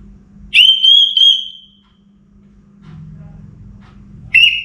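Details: Orange-headed thrush kept in a cage, singing in the pre-dawn hours: a long, bright whistled phrase with a wavering tone, then a pause with a faint low hum, and a new phrase beginning at the end.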